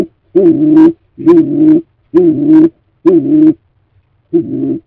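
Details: Stock doves at a freshly cleaned nest box as a new breeding season approaches: a low, hollow coo repeated five times, each note about half a second long with short pauses between, in a quiet, enclosed setting.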